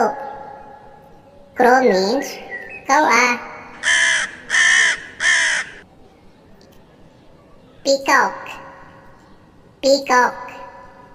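A crow gives three harsh, hoarse caws in quick succession, about one every second or less. A voice speaks the bird's name before and after the calls.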